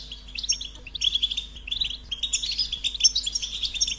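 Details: Liquid, high-pitched goldfinch song: quick tinkling notes strung into rolling phrases, with clear whistled accents and little background noise.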